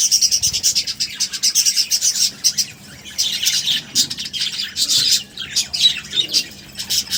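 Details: Budgerigars heard during feeding, with dense, rapid high chirps and twittering chatter that run almost without a break, rising and falling in loudness, and with soft wing flutters mixed in.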